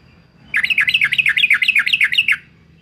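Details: A Yellow-vented bulbul (Pycnonotus goiavier) from Semarang, Central Java, sings a quick, bubbling run of about a dozen rising-and-falling liquid notes lasting under two seconds, over faint background hum.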